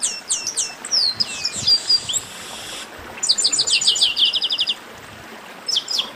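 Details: Chestnut-capped blackbird song from a warm-up chorus: looping downward-slurred whistles open, followed by a rapid rattling series of a dozen high repeated notes and a final cluster of sharp chips.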